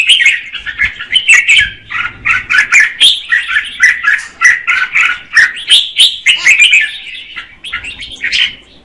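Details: Singing female red-whiskered bulbul stimulating the male: a fast, continuous chatter of short warbled notes, pulsing about twice a second, fading near the end.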